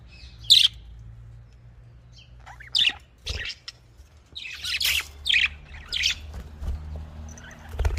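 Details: Budgerigar calling: a few sharp high chirps spaced well apart, with short scratchy chattering notes in between, against a faint low background rumble.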